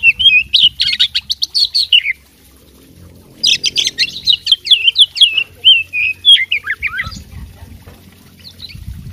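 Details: Oriental magpie-robin kept for fighting, delivering two bursts of fast, varied chirps and slurred whistles separated by a brief pause, the song tapering off near the end.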